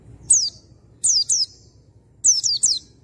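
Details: Oriental white-eye lure aimed at bringing a male into song: high, piercing downward-slurring whistles delivered singly, then in a pair, then a rapid trio.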